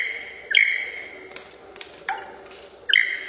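A lyrebird mimics three sharp, ringing pings, each fading into a steady high tone, spaced about a second apart against a quiet, faintly hissing background.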